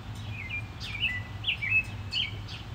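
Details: Fighting house sparrows give rapid, squabbling chirps, each note sliding downward, several birds calling over one another in an agitated burst, with a faint low background rumble.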